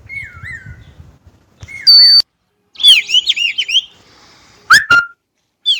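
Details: Varied Chinese blackbird phrases: drooping whistles, a piercing high note, a tangle of warbled chirps, and a quick upward-sweeping whistle, separated by abrupt silences.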